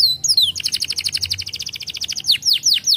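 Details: Song of a canary, played to stimulate young canaries to breed: short whistles, then a fast two-toned warbling trill lasting over a second, followed by loud downward-swooping whistled notes.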